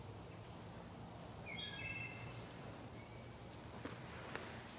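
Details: Wood thrush singing in a sacred grove: one brief fluty phrase of stacked clear tones, followed by a faint high note, over a steady low rumble of background noise.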